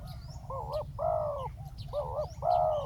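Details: Spotted dove used as a ground decoy to lure a wild dove down, giving loud, full coo notes in pairs of rounded, slightly wavering hoots, with faint high chirps of other birds and low background hum.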